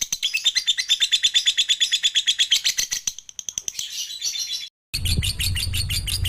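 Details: Sleepy lovebird in a ngekek chatter, offered as a lure to get reluctant lovebirds singing; a rapid, buzzy trill with a thin whistled tone, slowing and fading, then a pause and a short noisy burst with low hum.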